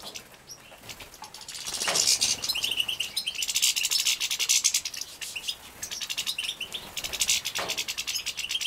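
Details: Captive-bred young European goldfinches in Poland, 2017, begging while being fed: dense bursts of high, thin, wheezy chirps, rapidly repeated in surging waves with brief quieter gaps.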